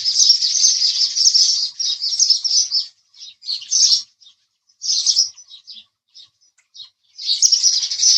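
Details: Continuous, buzzy chirping from a house sparrow opens the recording. It breaks into scattered short notes and gaps, then resumes as dense chatter at the end.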